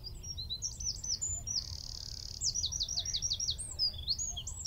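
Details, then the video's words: Eurasian wren singing from a tree at Wicken Fen, about 15 m away, recorded by mobile phone through a telescope with a shotgun mic: high, rapid notes, then a steady buzzy trill and a run of quickly repeated downward-sweeping notes. "Wren (Troglodytes troglodytes) - singing from tree"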